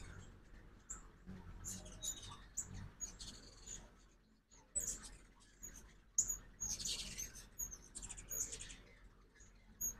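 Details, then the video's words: At a feeder in Oxford, Mississippi, during fall migration, ruby-throated hummingbirds give high, squeaky chips in scattered bursts over ten seconds, some notes doubled, over soft low-pitched background noise in the morning. "Hummingbird Fall Migration"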